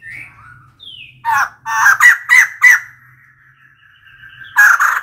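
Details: A female white-crested laughingthrush, calling as a decoy, breaks into a burst of loud raspy chattering notes, with thin whistled slurs from other birds before and after and a final harsh outburst.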